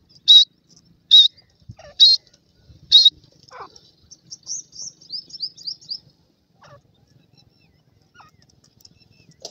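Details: Grey francolin chicks, known locally as dakhni teetar, fighting: four loud, sharp high chirps about a second apart, then a run of thin, rapid twittering notes, followed by near silence.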